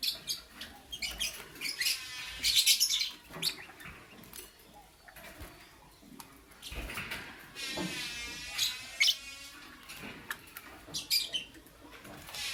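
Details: Lutino and Blue Opaline lovebirds singing in the morning, a long stretch of rasping, harsh chatter with nasal ringing notes in two main bursts, broken by clicks and short squeaky chirps throughout.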